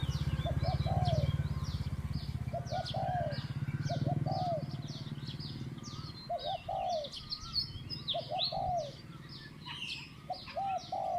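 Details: Mid-pitched 'kuk' cooing of a captive decoy spotted dove during dove trapping. Rounded coo notes come in groups of two or three over a steady low engine-like hum, which fades halfway. Busy high chirping from other birds continues throughout.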